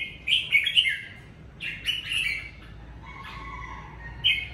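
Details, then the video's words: Red-whiskered bulbul kept at home during the covid season, singing naturally in the chattering 'ché' style: bright warbled phrases of bubbly whistled notes, a short burst near the start and another in the middle, then a lower trill and a final note. "Mào ché tự nhiên tại nhà mùa covi"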